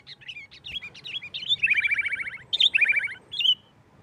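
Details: Sooty-headed bulbul, 'nggaruda tarung' style for luring rival bulbuls: scattered sharp chirps build into two rapid rattling trills of downward-slurred notes, ending with a single bright note.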